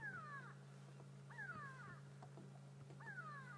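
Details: Grey go-away-birds in Sabi Sand at sunrise, 31 May 2016, give harsh, nasal descending alarm calls, likely at a hyena: three drawn-out slurred notes about every one and a half seconds, over a steady low engine hum.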